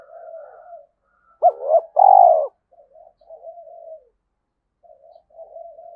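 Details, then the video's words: Trained decoy spotted dove giving its fight-provoking call: a faint coo, then two sharp clipped notes and one long loud rough coo, trailing into gentle murmured coos and silence. "Chim Cu Mồi GÁY GỌI_Thúc Đấu"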